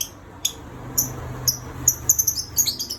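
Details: Pet lovebird whistling nonstop, very high thin chirps coming in quick clusters that grow denser and faster toward the end, clear and close with little other sound.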